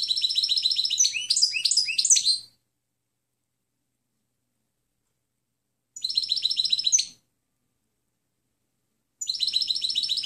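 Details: European goldfinch clean song recorded to train other birds: a two-and-a-half-second jumble of rapid, tinkling twitters and buzzy slurs, followed after pauses by two shorter chattering phrases.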